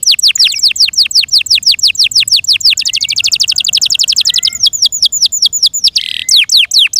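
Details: A Yorkshire canary pours out a continuous fast trill of sharp downslurred notes, speeding up in the middle. A brief buzzy burst comes near the end, followed by a few clear falling whistles.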